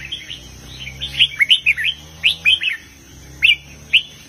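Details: Red-whiskered bulbul singing in the southern Thai master-song style with heavy phrases: bright whistled notes rising and falling in quick clusters, then two short separate phrases, over a steady low hum.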